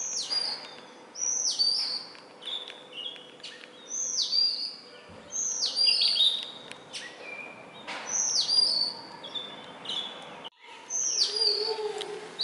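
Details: Indian robin, which sings every morning and evening near human homes perched on a tree branch or wire, giving short, high, sweet whistled phrases that dip and flick, repeated every couple of seconds over soft hiss.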